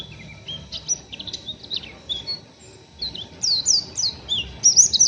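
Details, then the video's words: Young, still-untrained oriental white-eye giving rough ngeriwik chattering: thin, high chirps and short twittered phrases, sparse at first, then denser, sharply down-slurred notes toward the end. Faint low background hum. "PLECI NGERIWIK KASAR BURUNG MASIH BAHAN"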